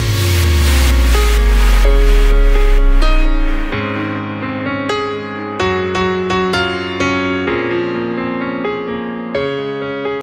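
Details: Keyboard music with sustained chords and a deep bass; no animal voice is heard.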